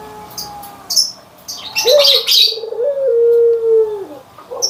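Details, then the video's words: Barbary dove, white and brown birds compared: a smooth low coo that steps up, holds a long even tone and then slides down. Busy high chirping from other birds comes just before it. "PERBEDAAN SUARA ANGGUNGAN BURUNG PUTER PUTIH DENGAN PUTER COKLAT"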